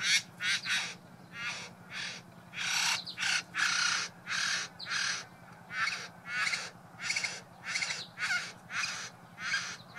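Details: Male Satin Bowerbird displaying at his decorated bower to a visiting female, with mimicry in his courtship show; harsh, broadband rasping bursts repeated at an uneven pace, some short and some drawn out, with a steady low hum beneath.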